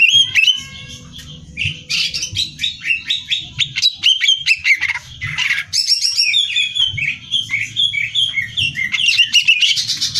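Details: A greater green leafbird sings energetically for song-competition training, mixing clear whistles, fast descending trills and rattling chatter in continuous phrases, low background hum beneath.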